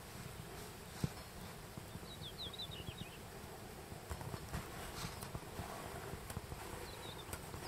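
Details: Japanese accentor giving its quiet breeding-season call note, rendered 'chiririri', on Daisetsuzan, Japan, in July 2021: a short run of thin, high, slightly descending notes near the middle, a faint second run near the end, over low rumbling background noise.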